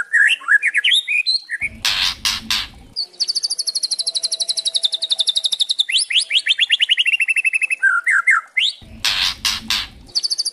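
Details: White-rumped shama (murai trotol) provoking rattle song: rising chirps, then a long, fast, rattling run of sharp high notes dropping lower near the end; two loud thumps break in.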